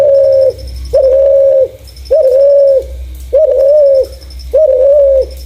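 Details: Spotted dove with a clear voice, suited as a lure for doves, repeating loud, steady coos almost evenly, about one per second, each slightly wavering, over a faint high pulsing tick.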